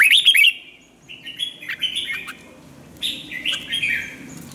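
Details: Red-whiskered bulbul used for song training sings a rapid run of bright warbled and whistled notes, then pauses before a second lively phrase of rolling, slightly rising notes; a faint background hum continues throughout.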